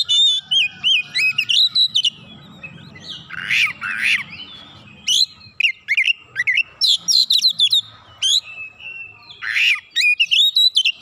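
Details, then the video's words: Oriental magpie-robin answering persistently, pouring out its fill-ins. A long, busy sequence of quick looping whistles and chirps, with harsh rising-falling rasps woven through, barely pausing across the whole stretch. "Kacer langsung nyaut ngotot bongkar isian"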